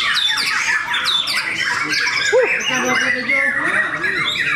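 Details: In a singing contest at Cikeas, white-rumped shamas overlap loud rippling whistles and harsh chatter, with a single lower squeaky note near the middle and softer voices underneath.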